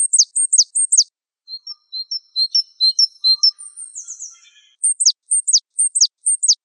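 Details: Java sparrow tutor song with steep, high downward sweeps at either end, around a middle passage of scattered short chirps and a rushing, slurred burst of descending notes.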